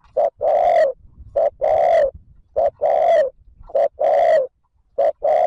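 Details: Steady cooing by a spotted dove, used to prompt wild doves to call. Short note plus long throaty coo pairs repeat about every 1.2 seconds, five times in a row, with clean silence between.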